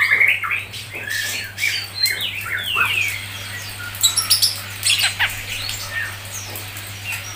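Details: Grey-cheeked bulbul, called cucak jenggot, singing a 'mbeset' tutor song for songbird training: varied scratchy chatter, sliding whistles and sharp chirps in quick, irregular bursts.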